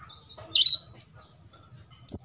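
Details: Olive-backed sunbird in a 'full tembakan isian' training recording: a few isolated high notes, a sharp down-slurred chirp, a thin falling whistle, then a bright single tick after a short pause.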